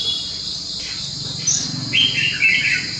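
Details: A Red-whiskered Bulbul kept for cafe singing contests gives a few short, bright warbled notes in the second half, over a steady high insect-like hiss.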